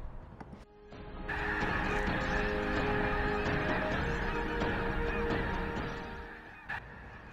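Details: A wintering flock of over 50,000 Snow Geese taking off in the San Joaquin River delta near Sacramento, California, in full cry: a dense roar of overlapping nasal honks and yelps that swells after the first second and eases near the end.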